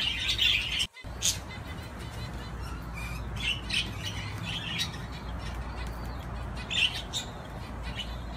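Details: Budgie playing on a swing gives a loud scratchy squawk, falls briefly silent, then adds scattered short chirps and a sharper call near the end, over a low hum.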